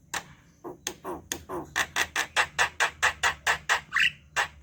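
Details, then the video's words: Javan myna singing energetically: a run of harsh, broadband chattering notes repeated a little more than twice a second, several carrying a bright ringing tone, ending in a short rising whistle. "Suara jalak kerbau gacor"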